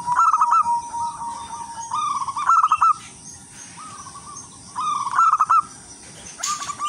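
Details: Local wild-type zebra dove singing steadily as a lure for other zebra doves: melodious phrases of rolling, bubbling coos, each ending in a brighter trilled flourish, repeated about every two and a half seconds over a steady high hiss.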